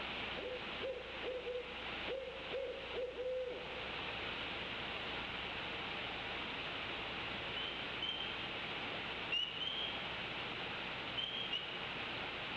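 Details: At night (22:42) near the Decorah eagle nest, where the eaglets sat alone and their father gave warning wing flaps, an unseen owl hoots a quick run of five or six low, mellow notes over steady night hiss, with a few faint high chirps later.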